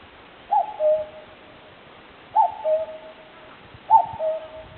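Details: Common cuckoo calling in a woodland where wild birds live, recorded on a digital camera: three clear two-note cuckoo calls, the second note lower, spaced about one and a half seconds apart over faint background hiss.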